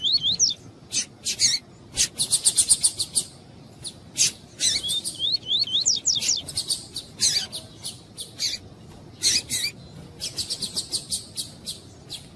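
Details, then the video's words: Yellow-bellied seedeater (coleiro tui-tui) male singing while a female calls to warm him up, as used by tournament breeders: rapid high buzzy trills, sharp clicky bursts and short rising whistled notes in quick series, with faint background noise. "ESQUENTAR COLEIRO TUÍ-TUÍ COM FÊMEA CHAMANDO"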